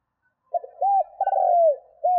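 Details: Spotted dove calling to lure wild doves into calling fast: deep, hollow coos in a short note, an arched coo, then a long, gently falling coo. A fresh coo begins just before the sudden cut-off, with no other sounds.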